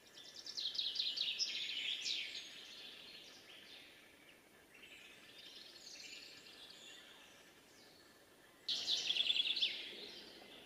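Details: A Eurasian three-toed woodpecker at Reastvere, Jõgevamaa, in 2019 gives high, chattering call bursts, one near the start and another near the end, with quieter calls between over a soft background hiss.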